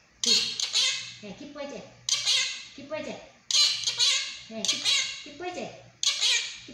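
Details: Pet monk parakeet indoors mimicking human speech in Chinese, with short harsh, breathy word-like phrases in bursts every second or so, bright and high with buzzy overtones, separated by brief pauses in a small room.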